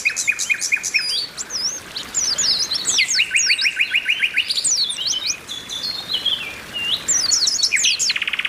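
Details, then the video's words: Oriental white-eyes calling in a group, a female among them calling to males: pulsed notes repeated about twice a second at first, a fast mid-pitched rattle, many twisting high chirps and a closing buzzy burst. "TERAPI PLECI OMBYOKAN BIKIN CEPAT GACOR"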